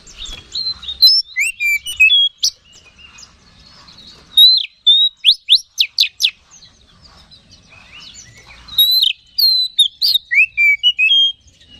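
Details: Lure song of an Oriental magpie-robin meant to rouse other magpie-robins: varied high whistled phrases, fast upsweeping chirps in bursts, sliding notes and brief quiet gaps, repeated over about twelve seconds.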